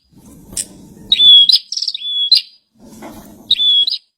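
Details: Bar-winged prinia kept in captivity, singing vigorously: a level piercing whistle, a scratchy buzz, then another even whistle, with a further phrase after a pause. Low rustling between phrases.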